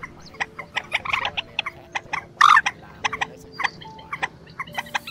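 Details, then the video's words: Quốc biển and trích ré lure recording for night netting of migrating birds in March 2024: scattered clipped, nasal notes with a short loud rasping outburst and faint held tones between. "Tiếng Quốc Biển , Trích Ré 2 Con Kêu Bẫy Chim Gìa Và TơVụ Chim Tháng 3 - 2024 Lưới Đêm"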